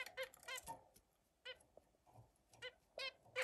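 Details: Zebra finches playing with other birds give short, nasal, toy-trumpet beeps, about seven in under four seconds, some in quick pairs, over a faint background hum.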